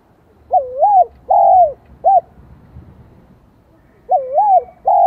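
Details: Spotted dove with a high 'giọng son' voice, Vietnam. A three-part phrase of a wavering coo, a long arched coo and a short note is heard, then after about two seconds the next phrase begins.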